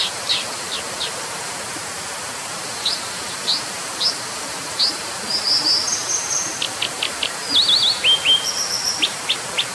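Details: Brown dipper calling over constant rushing hiss: scattered sharp high chips, a brief trilled phrase mid-clip, then quicker clusters of zigzag notes and thin whistled strokes toward the end.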